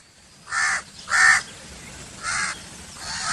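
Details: Crow giving harsh, broad-banded caws, two loud ones close together then two softer ones after a pause, over a quiet outdoor background.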